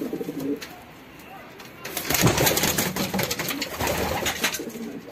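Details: Pigeons mating, a soft low coo at the start, then loud flapping and scuffling noise with faint cooing underneath.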